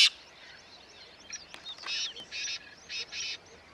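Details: Black francolin in Corbett Tiger Reserve grasslands, Uttarakhand, India, giving a harsh, grating call: a short run of loud, rasping notes in quick succession, with faint background chirps.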